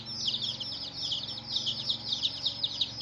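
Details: Young chickens cheeping together, a run of bright high chirps each sliding downward, overlapping in a lively, continuous flock chatter above a low steady hum.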